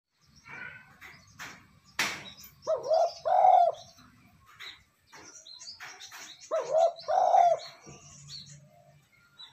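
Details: Spotted dove cooing, a call played to rouse decoy birds quickly: two bursts of low hollow coos, each a short note followed by two longer throaty notes, separated by a pause, with faint chirps of small birds and a sharp click.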